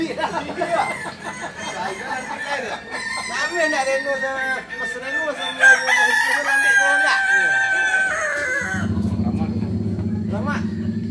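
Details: Kukuak Balenggek rooster from Solok, West Sumatra, at a joint practice event: a long crow of many repeated, stepped syllables lasting about eight seconds, followed by a low droning noise, with background talking throughout.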